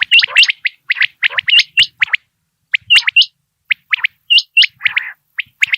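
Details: Common quail calling in the morning, recorded for quail hunting: dense runs of short, sharp, liquid notes, partly overlapping, bursting in quick clusters with brief pauses between, clear and loud with no other sounds.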